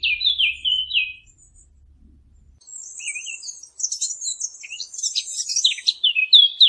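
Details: Birds chirping: a descending whistled phrase, a brief quiet gap, then a dense stream of very high, buzzy twittering; low hum at the start.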